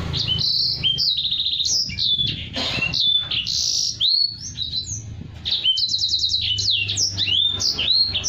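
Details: A Black-throated canary kept in a cage sings continuously as tutor song for other birds, a dense run of sweet high whistles, downward slurs and fast rattling trill phrases with barely a pause.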